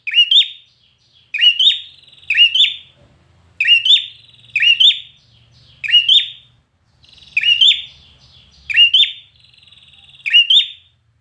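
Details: Red-whiskered bulbul singing for contests, a steady string of about nine loud whistled phrases, each a brisk two-part swoop, roughly every second, with faint low murmuring between.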